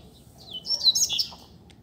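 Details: Free-flying Double-collared seedeater singing outdoors in a street, offered as a tutor bird for learning; a brief, rapid, high-pitched twittering phrase of slurred, warbled notes lasting under a second, over quiet low background hum.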